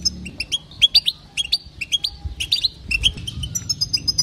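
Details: Calls of a female European goldfinch, used to rouse males into song: short, liquid chirps in clipped bursts, ending in a thin, high, level twitter.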